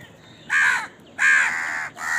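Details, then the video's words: Crow eating and calling: two harsh caws, the second long and trailing, then the start of a third, loud against a faint background. "Crow Bird Eating Scenes and Crowing Sound"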